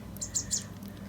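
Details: A hungry young female Cooper's hawk, orphaned after falling from her nest at about three weeks old and raised at a rescue centre, begs with three thin, very high chirps about a fifth of a second apart before her August release in Utah.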